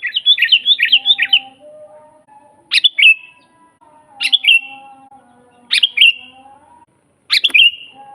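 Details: Sooty-headed bulbul from a master recording for training birds to sing: a rapid run of bubbly notes, then four sharp whistled phrases with falling tails, over faint, steady lower whistled tones in the background.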